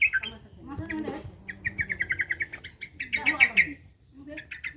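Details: Yellow-vented bulbul, called trucukan, agitated by a threat: quick strings of bright chirping notes, a steady run then a louder chattering cluster, with human speech audible underneath.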